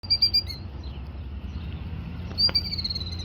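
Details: Killdeer guarding its eggs laid directly on gravel near a road in Tennessee, unhappy at a person close by: a few sharp, high, thin notes at the start, then a drawn-out shrill whistle near the end over low background rumble.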